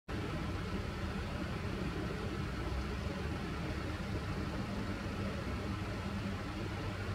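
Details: Steady engine rumble like an idling vehicle fills the whole recording, with no animal calls heard.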